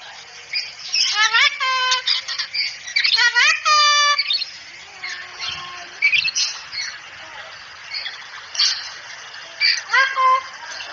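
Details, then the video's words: Cockatoo training recording meant to get a pet cockatoo talking quickly and chattily: two loud rising harmonic squawks held briefly, followed by softer scratchy chatter and short squawk bursts. "Masteran agar kakatua cepat bicara dan cerewet"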